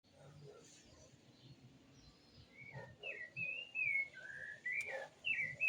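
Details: Bird singing: faint low noise at first, then loud whistled slurred phrases, rising and falling, with short pauses between notes.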